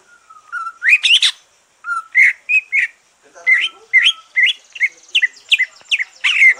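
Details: Song of a green leafbird just out of its moult, used to stir other birds to sing: a long low whistle rising into bright slurred notes, then a lively series of quick upward-flicked whistles repeated about twice a second.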